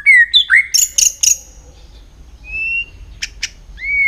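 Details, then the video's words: White-rumped shama being trained to sing for contests, with a fast, agitated song: rich whistled notes sliding down, then a burst of harsh buzzy chatter and clear rising whistles, in quiet surroundings. "luyện giọng chòe lửa hót kích chòe lửa nhanh căng lửa"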